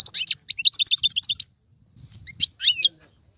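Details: European goldfinch song played to stimulate a pet goldfinch: a quick burst of bright, high twittered notes and a short rattling trill, then a pause before a few scattered sharp chirps and nasal notes.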